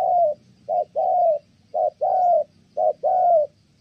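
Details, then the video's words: Kon Tum spotted dove with a good voice cooing: a long coo, then pairs of a brief note and a sustained mellow hoot with a slight falling tail, even rhythm. "Thổ Âm Tốt, đang gù ngon thì mái phá đám"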